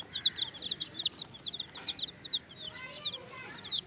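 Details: Young chickens with a hen, calling in rapid high-pitched chirps, each a short falling peep, densely repeated several times a second with overlapping voices throughout, with a few softer lower notes near the end.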